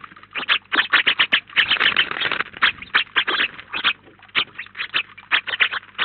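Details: Feeding flock of house sparrows, as many as 19 together at a Collado Villalba feeder, chirping steadily: a rapid run of short, sharp notes, densest in the first half.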